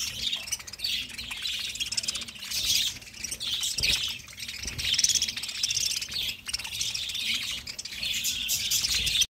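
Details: Many budgies chirp and warble at once, a dense high twittering that swells and fades in waves, with a few faint knocks in the background.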